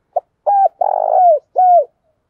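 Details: Decoy spotted dove calling to provoke and lure wild doves: a short clipped note, then three low coos, the middle one long and rolling with a burry texture, the last sliding downward at its end.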